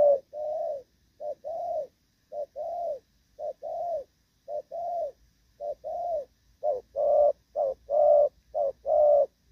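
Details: A moulting Spotted dove, recorded 3/6/2024, coos in soft, low hooting notes grouped in twos and threes, growing fuller and louder toward the end. No other sounds intrude.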